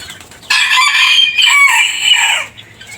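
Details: Single loud rooster crow about two seconds long, rich and harmonic with a brief upward swoop in the middle and a falling end, over faint low background noise.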